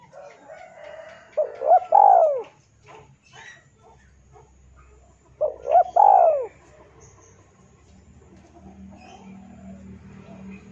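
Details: Male spotted dove calling against a rival, used as a lure; two clear cooing phrases four seconds apart, each three-parted with a drawn-out falling final coo, soft low hum and faint ticks behind.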